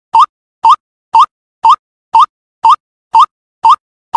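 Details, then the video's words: A young White-breasted Waterhen gives short, nasal, upward-sliding notes, two per second in a steady run. No other sounds. "เสียงนกกวักวัยรุ่น Suara Burung Ruak Ruak"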